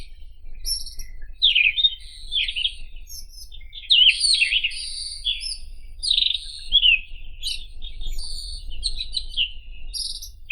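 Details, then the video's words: White-throated Robin (Irania gutturalis) singing a continuous, rapid, varied warble of slurred, twisting notes mixed with high thin buzzy strokes, phrases running almost without pause over a faint low hum. "Как поёт Соловей белошейка (Irania gutturalis)"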